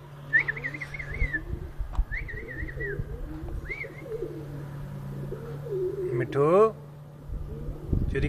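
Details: A talking ringneck parrot at a farm in Lahore, Pakistan, repeats wavering, warbled whistles in short phrases, then a loud harsh rising screech, with soft chattering syllables and a low hum beneath.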